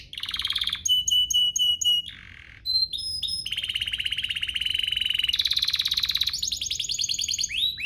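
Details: Canary song played to make other canaries sing: evenly repeated short whistled notes, a brief low buzz, then long rolling trills that rise in pitch before ending in quick downslurs.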